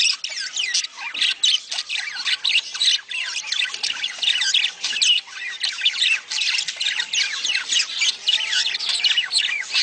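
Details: Budgerigar mating chatter meant to stimulate breeding: a continuous, dense stream of high, raspy warbles, clicks and squeaks from several birds.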